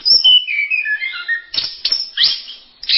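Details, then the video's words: Brief masteran song of an orange-headed thrush: a cascade of falling whistled notes followed by sharp, high emphatic chirps and a loud burst at the end. "Berbagai kicau burung anis masteran"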